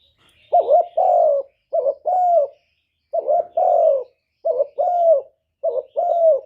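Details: Spotted dove decoy bird giving its lure call to draw and provoke wild doves: three pairs of low, hollow coos, each a short wavering note followed by a longer falling one, in a quiet setting.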